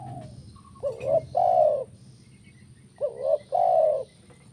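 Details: Spotted dove singing the 'kuk 1' style, used to make other birds sing: two phrases, each a doubled wavering coo then a long mellow low coo, with faint high chirping behind.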